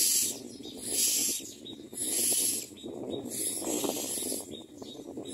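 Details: At a common myna nest where adults push small food into the chicks' mouths, rough hissing shrieks come in about four drawn-out bursts, each near a second long, with muffled rustling underneath.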